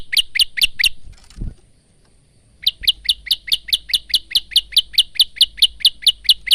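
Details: Male Bar-winged prinia recorded on a phone as a tutor song: a few quick chirps, a short break with a soft thud, then a long rapid train of about twenty high, even notes.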